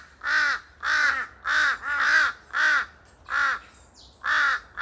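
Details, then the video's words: A pair of large-billed crows (Jungle Crow, Corvus macrorhynchos) in a forest giving noisy, echoing harsh nasal caws, about eight in five seconds, each slightly arched in pitch, with a brief thin whistle between calls. "큰부리까마귀 한쌍 시끌벅적거리는 울음소리 메아리치는 숲 속 A pair of Jungle Crow, their noisy cries echoing through the forest"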